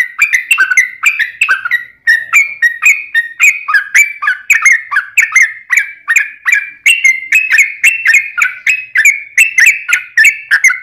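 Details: Trucukan (yellow-vented bulbul) singing a long rapid 'ropel' sequence meant to lure other bulbuls into song: an unbroken stream of gurgling two-part notes with crisp clicks, briefly pausing near the start, then pressing on steadily.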